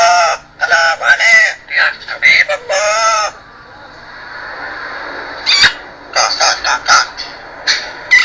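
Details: Amazon parrot talking in rapid harsh syllables and longer nasal speech-like bursts, a pause with faint hiss, then more choppy mimicked phrases and a sharp click.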